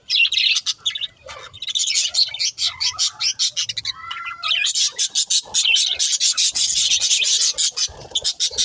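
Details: Pet budgerigars talking, continuous high warbling chatter with clicks and short chirps, a few clear whistled notes near the middle, and a soft low hum underneath.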